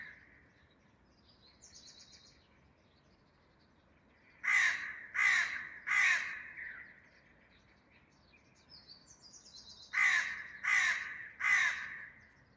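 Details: A crow calling loudly gives two bursts of three harsh, raspy caws each, the caws about two-thirds of a second apart and the bursts roughly five seconds apart, with faint distant chirps in the quiet gaps.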